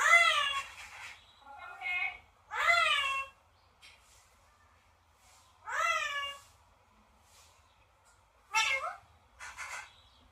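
A parrot gives drawn-out, nasal, meow-like calls, about six in ten seconds, each rising then falling; otherwise a quiet room.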